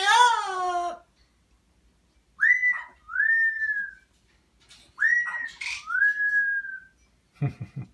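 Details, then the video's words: Pet parrot vocalising to a baby at home. A harmonic cry opens, then twice comes a two-part whistle, a sharp upward slur followed by a long, steady, slightly falling tone. A low voice is heard at the end. "Parrot talking to baby"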